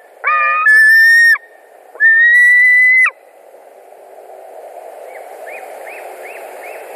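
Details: White-tailed eagle screaming at a Latvia nest on 21 July 2019 in the evening as an eagle drops in; two long shrill screams, then faint short chirping notes over a soft background hiss.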